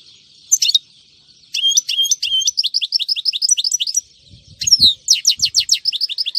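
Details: European goldfinch recorded on a Friday in 2018, singing a loud, fast twittering song. Sharp high chirps lead into long runs of quick slurred notes, each repeated several times a second, and the song resumes after a short pause.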